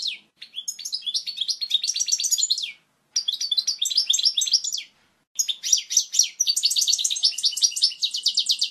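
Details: Clear European goldfinch tutor song for chicks, three bursts of rapid, bright twitters and buzzy trills, the last one long and rhythmic, separated by short silences.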